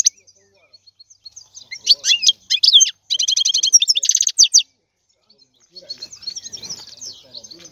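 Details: European goldfinch singing: bursts of bright, high twittering and rattling trills, quick liquid chirps run together in fast phrases, then a pause and softer scratchy twitters.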